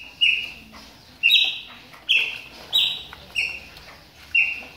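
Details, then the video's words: Whistled calls of a Chopi blackbird warming up during moult: six or so sharp, clean notes spaced about a second apart, some slightly higher and fuller, against light ambient noise. "CHAMADOS DE PÁSSARO PRETOS AQUECENDO NA MUDA !"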